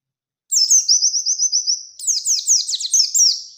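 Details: Oriental white-eye singing a rapid high song, used to provoke birds into challenging a rival: a string of quick even trilled notes, then a short pause and a burst of sharper downslurred chips, all very high and clean.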